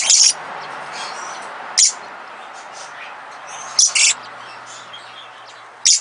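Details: A pair of captive little lorikeets, a small Australian lorikeet, give short, shrill, high-pitched screeches in brief bursts roughly every two seconds, over a steady low background hiss.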